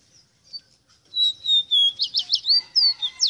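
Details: Rosita bird opens with a few faint notes, then launches into a fast run of about ten whistled, warbling notes, some slurred and trilled, with rising and falling slides.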